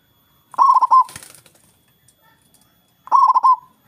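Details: Local zebra dove with a loud, big voice, singing to lure rival doves into calling back. Two bursts of rapid rolling, pulsed coos, each about half a second long and three seconds apart, with a brief fluttery noise between them.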